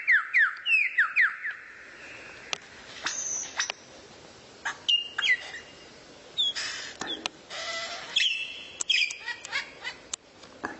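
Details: Rare-bird masteran song to train a White-rumped shama (kacer): quick falling whistled slurs at the start, then scattered high whistles, sharp ticks, raspy bursts and sweeping notes throughout.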